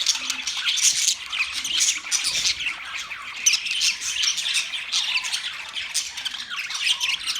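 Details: A group of budgerigars in a new cage gives rasping squawks over a bed of high twittering, the harsh notes repeating roughly every second amid constant overlapping chirps.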